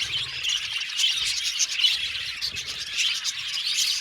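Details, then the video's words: Several budgerigars chirp in quick bursts, with sharp tweets and squeaky notes rising above a constant chattering background. "Beautiful budgies chirping sound | Budgies sound for lonely budgies"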